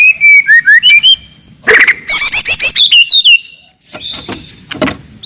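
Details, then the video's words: Wild forest white-rumped shama giving loud, aggressive song to anger rivals: a quick run of about eight bright repeated whistled notes, then a harsh burst and a rapid rattling series, ending with thin high notes. "KICAUAN MURAI BATU HUTAN, VOLUME KERAS, AMPUH MENAIKAN EMOSI LAWAN"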